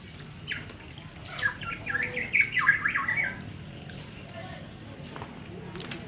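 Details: Black-naped oriole chick (Oriolus chinensis), dark juvenile plumage stage, begging to draw its parent birds; a cluster of harsh, squawky notes packed into about two seconds, then quiet outdoor background.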